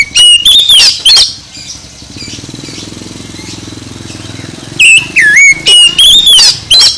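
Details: Oriental magpie-robin song played loud to get a sluggish bird singing: clear whistled and warbled phrases open and close the stretch, separated by a few seconds of engine-like droning hum with no birdsong.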